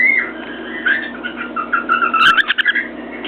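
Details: Cockatiel whistling contentedly atop its cage beside a mirror: a run of wavering, warbled whistles that climb and dip, becoming busier and choppier toward the end, with faint sharp taps mixed in.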